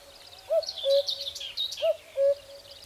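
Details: Common cuckoo calling in spring: two clear cuckoo phrases, each a short hooted note followed by a slightly lower, longer one, given twice about a second apart, over busy high-pitched chirping of other birds.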